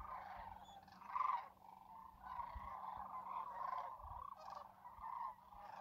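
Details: Sandhill Cranes, a large wintering flock on the lake at Whitewater Draw, McNeal, Arizona; a steady wash of rattling calls from many birds, one nearer bugle swelling loudly near the start.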